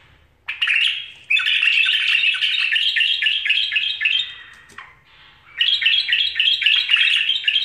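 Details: Tame pet bulbul singing indoors in a small room; loud, rapid chattering and warbled notes pour out in two long bursts separated by a short pause, clear and close with no other sounds.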